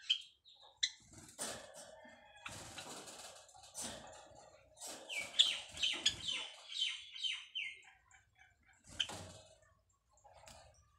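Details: White Java sparrows nesting and giving a mating call: irregular high chirps and clicks, a run of repeated descending notes in the middle, with rustling and wing noise throughout.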